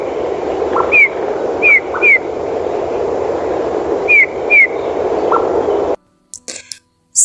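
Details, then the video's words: Eurasian bullfinch in winter giving soft, mournful piping whistles, each sliding downward, in singles and pairs a second or two apart, over a steady hiss that ends in clicks. "послухайте як співає снігур"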